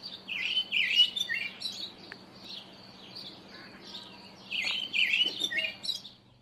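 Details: Karoo thrush (Turdus smithi) recorded early in the morning gives two bursts of rich, warbling song, fluty phrases tumbling up and down in the upper-middle range, with a quiet pause between and a faint low hum.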